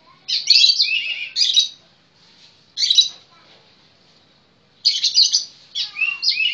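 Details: Oriental magpie-robin song: rapid scratchy high phrases delivered in clusters, a short burst, then a long gap before a run of three jumbled, warbling phrases.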